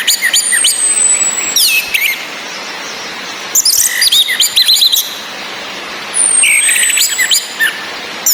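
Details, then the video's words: Female orange-headed thrush calling in the ngecis style to raise breeding drive in males: three loud clusters of rapid chirps, each opening with a long, thin, high whistle gliding downward, with rain in the background. "ANIS MERAH BETINA NGECIS‼️ COCOK UNTUK NAIKAN BIRAHI BURUNG YANG MENTOK DI NGRIWIK SAJA"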